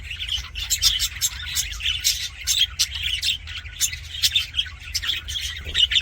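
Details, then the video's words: Several budgerigars sing happily in an aviary, trading quick high-pitched chirps, clicks and scratchy squawks in close, loud succession, each burst short and sharp against a faint low hum. "HAPPY BUDGIE SOUNDS FOR LONELY BUDGIES"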